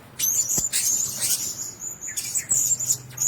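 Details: A cage of Blue-crowned hanging parrots giving piercing, thin high chirps in quick bursts separated by short lulls, with a soft low hum in the background.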